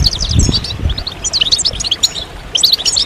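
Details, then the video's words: European goldfinches in a group chatter, calls said to stimulate males to sing and to signal mating readiness; bright, clipped high chirps in short bursts, scattered across three seconds over a low rumbling background. "بتبتة الحسون أفضل البتبتات الجماعية stimulation de chant chardonneret"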